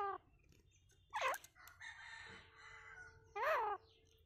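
Grey francolin giving two loud, harsh, arched calls about two seconds apart, with a softer drawn-out note between them.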